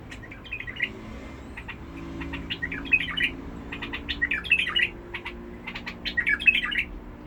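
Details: Bulbul from Basra with a harsh-toned voice, singing short, rich warbled phrases in bursts at about three, four and a half and six and a half seconds. Sharp dry clicks tap throughout, with a low hum underneath.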